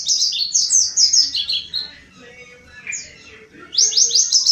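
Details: Lure song of a mountain white-eye that sings constantly: fast, high, twittering runs of short falling notes, then a brief lull, a single whistled note and another rapid burst.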